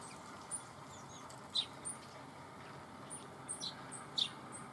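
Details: Red crossbills together with bramblings, Dohr, Eifel, Germany, 24 October 2015: scattered brief high chip notes, some very high and thin, others lower and sharper, several in quick succession.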